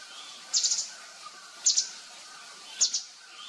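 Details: Javan fulvetta in the wild, a forest-edge insect-eating bird of mountains above 1,000 m in Java; short high chattering call bursts repeated about once a second, each a quick cluster of sharp notes over soft background hiss.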